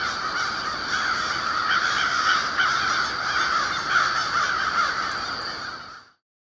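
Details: Many crows near their overnight winter roost at warehouse buildings just after sunset, October 21, 2021, flying up and down; a loud, dense chorus of harsh overlapping caws that cuts to silence after six seconds.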